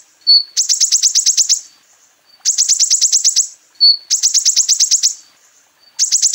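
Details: Van Hasselt's sunbird master song from Temanggung, Central Java, used to train caged birds: a rising high whistle, then a fast rattling series of sharp chirps, repeated in bursts about every two seconds.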